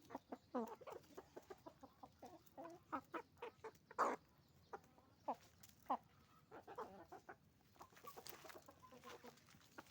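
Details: Chicken farm with roosters and hens calling: a steady run of separate short clucks and cackles from many birds, spaced every half second or so, one louder squawk midway.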